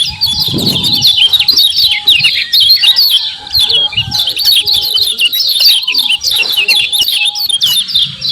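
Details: Rapid 'ciak ciak' calls of a common iora, used to lure and excite other birds: a continuous stream of high, clipped, downslurred chirps, plus a faint thin whistle in the background.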